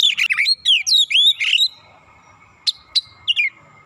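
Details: Oriental magpie-robin singing to provoke and enrage a rival bird into showing its full repertoire: rapid sequence of loud, rich whistled phrases sweeping up and down, then a pause and a few sharp chips and a falling note; a constant faint hum persists.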